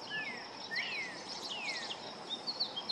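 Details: Juvenile painted bunting singing at a local park: quick, descending, slurred whistles run together in a bright, warbling phrase, ending in higher short chips, with a constant high insect drone and faint hiss beneath.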